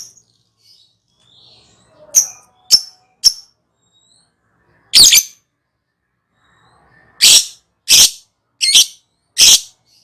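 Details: Lovebird in ngekek style, used as a lure: scattered shrill, sharp high shrieks. A trio of short chips is followed by a harsh squawk, then four loud rasping screeches about half a second apart. The room is otherwise quiet.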